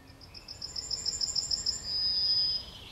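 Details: Yellowhammer singing at the edge of Kabaty forest: a quick series of about a dozen thin, high, evenly repeated notes, then a drawn-out, slightly falling final note, over a soft background hiss.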